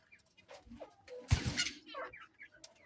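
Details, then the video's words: A breeding pair of pineapple green-cheeked conures, caged, gives a loud, harsh screech amid short chirps and squawks from other caged birds. "pineapple conure parrot"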